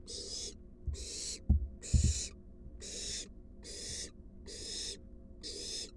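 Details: Wild barn owl at its nest box as an adult arrives with a large rat for the fledgling: seven harsh, breathy hisses in an even rhythm, with sharp thuds midway through.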